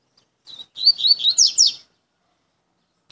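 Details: Double-collared seedeater (coleiro), described as a very fast bird that cuts its song and just back from moult, delivers one brief, high, rapid phrase of twittering slurred notes, about a second long, then silence.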